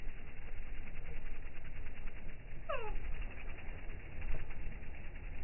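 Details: Hummingbirds in slow motion, their sound slowed down: a single bright descending sweep with several stacked harmonics, with steady low background rumble and faint softer traces nearby.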